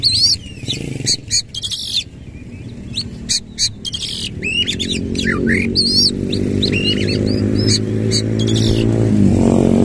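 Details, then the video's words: Oriental magpie-robin singing rapidly, tail spread, in the rolling 'nembak ngerol' manner: dense chips, buzzes and short whistles at a busy pace, while a low rumbling hum swells steadily louder beneath the song toward the end. "KACER GACOR NEMBAK NGEROL FULL BUKA EKOR"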